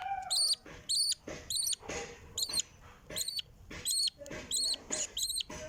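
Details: Bird chicks begging while their mother feeds them: high, thin, squeaky calls in short harmonic bursts, repeated roughly twice a second, over low rustling background noise.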